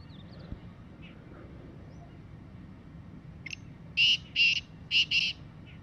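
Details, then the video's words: Wild black francolin calling in the jungle: a harsh, grating call of four loud rasping notes in quick pairs, over faint background hum. "Desi Kala Teetar Bolty hue Kala Teetar ki Awaz Teetar ki Voice"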